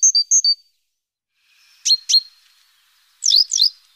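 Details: Great tit active around its nest box on a morning, 14 April, recorded by webcam, giving high, thin calls in three short bursts: paired whistled notes, two sharp chirps, then quick downward-sweeping notes.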